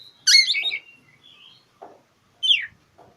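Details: Oriental magpie-robin singing to a rival, suitable as a lure for mute birds. A dense, tumbling burst of notes comes first, then soft murmurs and one sharp downward-slurred note.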